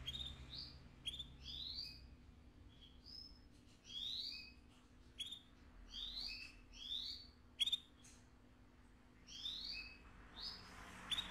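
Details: AF canary giving scattered phrases of upslurred whistled notes with sharp clicks, about one phrase every second, against a quiet background hum.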